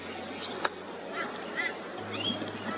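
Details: Rainbow bee-eater in Australia, calling and feeding in the afternoon and at sunset. Brief arched chirps, then sharper high chirps rising quickly near the end. A low steady hum runs underneath, with one sharp click early on.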